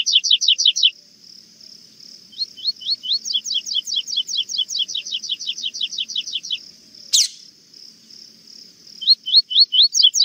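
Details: A Rusty-collared Seedeater (Sporophila collaris) sings the classic "tui tui zel zel zel" third-note song in bursts of sharp, high, down-slurred notes, several per second, broken by short pauses, with one sharp click midway.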